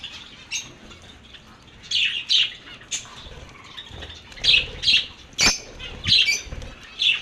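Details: Lovebirds calling with short, harsh squawks in clusters of two or three, separated by quieter gaps of soft background chatter.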